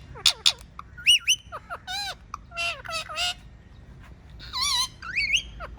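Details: Talking pet parrot giving a rapid string of loud whistled and squawky notes, many swooping up and down in pitch, some with sharp high chirps, about a dozen calls in under six seconds over a quiet indoor background.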